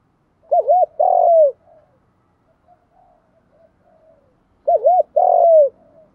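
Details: Two calling phrases from a spotted dove in giọng đồng style, spaced roughly four seconds apart, each made of paired looping hoots and a long rasping coo falling at the close; quiet soft sounds between.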